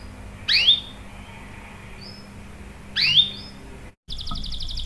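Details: Canary lure calls meant to make other canaries sing: two sharp swept chirps about two and a half seconds apart, then a brief break and a fast, buzzy high trill.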